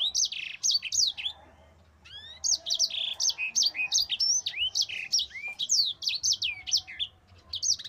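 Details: Mozambique canary in long rolling song meant for tutoring other birds: dense bursts of high sweeping whistles and trills, a short break after the first second, then steady rapid phrases continuing to the end.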